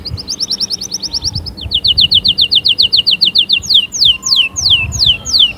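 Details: Fierce canary song meant to set other canaries singing. Two fast trills of short rising notes, the second slightly lower, are followed by slower sweeping downslurred whistles, all loud and clear.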